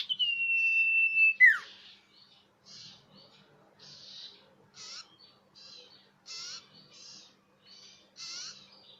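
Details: Common iora lure call, described as clear and loud: a long, steady, high whistle that ends in a sharp downward slur, followed by a run of short buzzy, scratchy chatter notes about twice per second.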